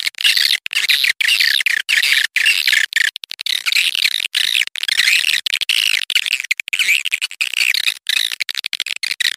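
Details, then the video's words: Swiftlet calls broadcast to attract swiftlets, a continuous chattering, wavering twitter made of many rapid notes, chopped by brief silent breaks. "suara burung walet panggil burung walet"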